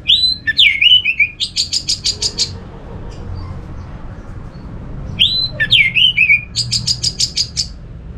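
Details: Orange-headed thrush singing to prompt other thrushes to sing: a downward slurred whistle, then a fast rhythmic string of about ten high, buzzy repeated notes. The pattern comes twice, with a quiet gap between.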